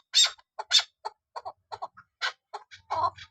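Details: Female Kabuli chakor, a chukar partridge, calls in short, loud, harsh bursts, two strong notes then a quicker run of softer clucking notes, spaced unevenly over a few seconds.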